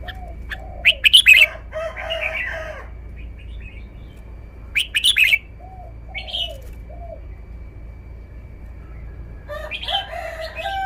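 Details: Red-whiskered bulbul in a cage, showing its song phrasing: loud, rich, warbling bursts, a pause, then another bright burst and a busy chattering run at the end. Low, slurred background calls repeat throughout.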